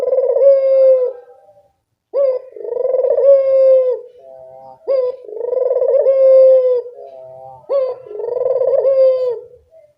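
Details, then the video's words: Series of puter dove coos used as a lure recording for birds that rarely call: four long, throbbing, even-pitched coos, each with a clipped introductory note and a brief softer trailing phrase between them. "Masteran burung puter gacor, mengatasi burung puter malas bunyi"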